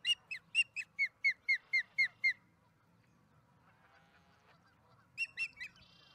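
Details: Osprey arriving at its Charlo nest with a fish, afternoon of April 26, 2019: a rapid run of about ten high chirps, a quiet pause, then three more.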